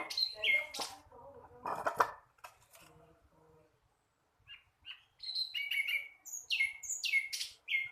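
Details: Young flycatcher still learning its song: scattered short chirps and sharp broadband notes, a brief pause, then a run of high falling whistled notes repeated about once per second.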